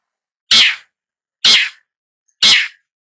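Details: Long-tailed shrike giving three harsh, rasping, noisy notes, each about a third of a second long, spaced roughly a second apart, with silence between them.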